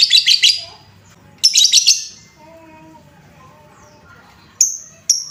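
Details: Lovebird chatter used as a lure sound to stir up and excite other lovebirds: rapid clusters of sharp, high-pitched chirps, a faint mid-pitched tonal sound in between, then two brief piercing whistles near the end.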